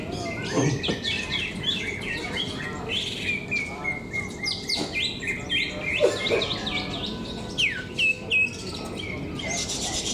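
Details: Caged greater green leafbirds in a singing contest at KDP BC Arena, Cikeas, pouring out rapid twittering phrases with sweeping whistles and a few longer level tones, several birds overlapping, over a low background hum of people.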